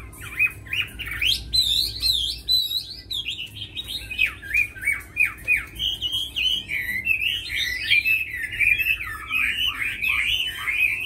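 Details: Tame caged Chinese hwamei in full song: a long, energetic series of loud whistled phrases, zigzagging slurs and chattering bursts, broken by brief pauses, with a quiet room hum.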